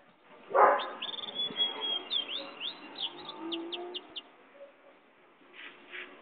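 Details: Pintagol, a goldfinch and canary hybrid, sings a high steady whistle followed by a quick series of clipped, repeated chirps; a loud knock early on and faint background noise.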